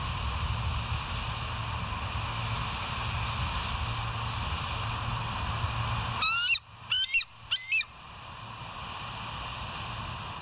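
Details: West End bald eagle, 22 July 2023 at 05:06: three quick high-pitched piping chirps break through a steady hum partway through, then the hum continues alone.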